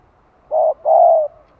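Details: Decoy spotted dove calling to stimulate wild doves, in the hạp bổi style: two smooth low coos, a short note then a longer steady one, on a quiet background.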